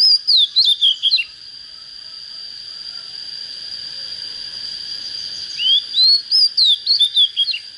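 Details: Oriental magpie-robin, a young bird just coming into breeding condition, giving rapid runs of bright whistled notes that sweep up and down, a quiet gap between two phrases, a constant high whine behind.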